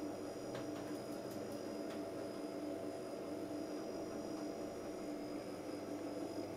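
A steady engine-like hum and broadband mechanical noise with a few faint clicks, and no clear animal voice.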